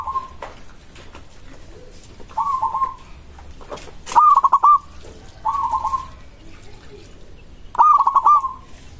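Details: Local zebra dove singing a song said to draw immediate replies from other doves: five stuttering cooing phrases, each a rapid run of soft pulsed notes ending in a held tone, spaced about every two seconds, with faint clicks between.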